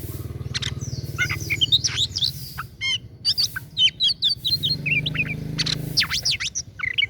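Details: Oriental magpie-robin singing a fast, varied song of sharp chirps, slurred whistles and rising and falling notes in quick bursts with short pauses. A low steady hum runs underneath.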